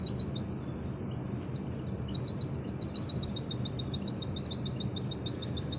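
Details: Pleci auri, an Oriental white-eye, delivering a long nembak sejalur trill: very rapid, even, high chattering notes about four per second, interrupted once by descending slurs, then resuming steadily over low background noise.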